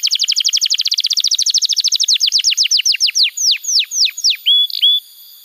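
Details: Canary singing a lure song for training young canaries: a long, rapid series of downward-sweeping notes that gradually slows and widens over four seconds, ending in a short bent whistle.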